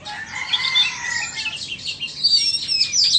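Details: Vietnamese and Indonesian Oriental magpie-robins competing in song: a dense, scratchy warble of overlapping notes, then thin high whistles and quick twittering toward the end.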